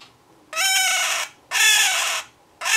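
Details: Pet male scarlet-chested parakeet, with his mate nearby, giving two long, rasping, noisy cries, then the start of a third.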